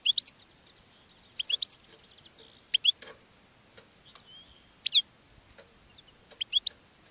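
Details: European goldfinch singing in a cage and attracting other goldfinches; sparse, thin high chirps come in short clusters, with brief twittered pairs and quiet gaps of about a second between groups.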